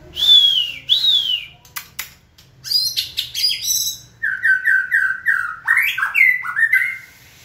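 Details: White-rumped shama being trained to sing on cue: opens with two clear, high, slurred whistles, then a jumble of sharp varied notes, followed by a steady series of repeated lower warbled notes.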